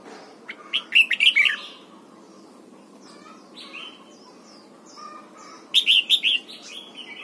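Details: Morning voice training of a red-whiskered bulbul for the 'âm kép già rừng' double-note song. Two lively phrases of clustered whistled notes about five seconds apart, with scattered soft chirps and short notes in the pause.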